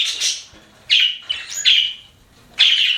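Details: Pet budgerigars chirping: three separate short bursts of scratchy, high warbled chirps with quiet gaps between them.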